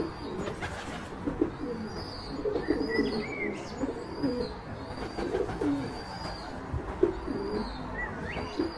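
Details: White-quilled rock pigeon, Petrophassa albipennis: low, muffled cooing pulses in an uneven series, overlaid by thin whistled notes and short chirps from other birds and faint background rustle.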